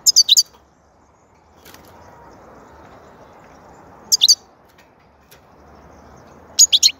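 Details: European goldfinch, sung in a soothing manner, gives three separate bursts of thin, high twittering notes a few seconds apart, each a tight run of quick chirps, with soft background rumble between them.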